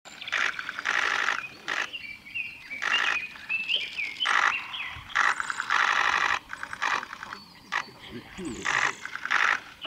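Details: A male Japanese robin at Yanagisawa Pass on 25 April 2021 sings loud, rapid rattling trills in bursts about every second, with thin high whistles from other birds between phrases.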